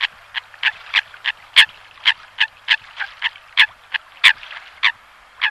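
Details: Eurasian coot (Fulica atra), call.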